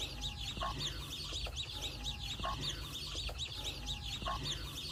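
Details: Chicks playing around their mother hen on a poultry farm: continuous shrill peeping from many chicks, with a few short mid-pitched notes at irregular intervals.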